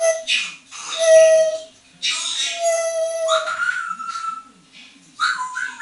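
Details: Hand-trained female African grey parrot, aged eight and moulting, having fun on a bathroom towel rail; long steady whistled tones mixed with rough, speech-like chatter, ending with a rising whistle.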